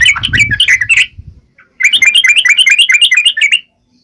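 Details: Wild-style Yellow-vented bulbul song, used to make other bulbuls answer: a chattering burst with low background rumble, a pause, then a quick bubbly run of bright notes.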